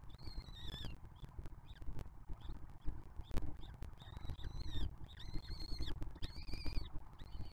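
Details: Peregrine falcon nestlings of the 2024 brood being fed by their older 2023 sibling in a museum nest box; plaintive, high, level wails repeated several times, with scattered clicks and a low hum underneath.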